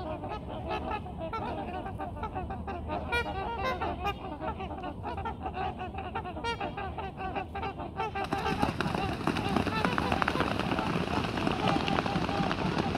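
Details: At sunset, a flock of trumpeter swan families gives loud, overlapping, horn-like honks several times a second, calling to each other before departing; then a rushing roar of wings and splashing water builds as they take off.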